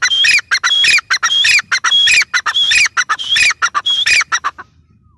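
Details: Grey francolin (teetar, Ortygornis pondicerianus) call: loud, harsh, squawking notes in quick, uneven bursts, repeated over and over before falling quiet near the end.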